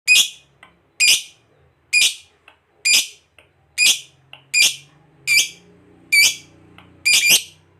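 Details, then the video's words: Lovebird giving loud, harsh single calls about once a second, each a brief buzzy burst, with a faint low hum between them. "Lovebird ngekek panjang real 2 menit"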